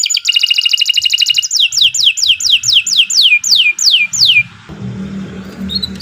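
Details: Canary song used as a master for training other birds and rousing silent ones: a rapid buzzy trill, then a run of about a dozen steeply falling whistled notes, ending in faint low background hum.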